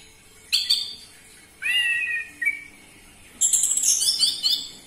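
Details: Orange-headed thrush song played as a lure to prompt captive birds to sing: a short high chirp, then a longer slurred whistle and a final burst of rapid, very high twittering notes, with quiet gaps between.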